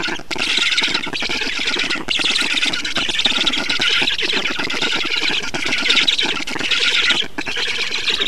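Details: At an Estonian black stork nest during feeding on 6 June 2019, harsh squealing, hissy calls run on in rapid rasping pulses, swelling in several waves separated by short breaks.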